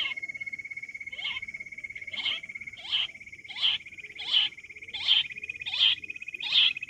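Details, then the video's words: Wild quail (jungali batair) repeating a short buzzy note about every 0.7 seconds over a steady, even whistling tone running through the whole recording. "Quail Sound clear | July 2024 full episode | Jungali batair ki awaaz | shikar batair awaaz"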